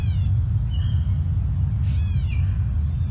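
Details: Two Gray Catbirds call to each other with slurred, cat-like meows, two or three short nasal calls falling in pitch, over a steady low rumble.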